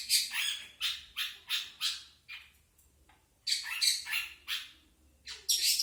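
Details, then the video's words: Long-tailed shrike song of the standard, non-imitation (non isian) type: harsh, raspy broadband squawks, short bursts in quick runs of four or five, a pause of about a second, then another burst of rough notes. "burung cendet isian standart"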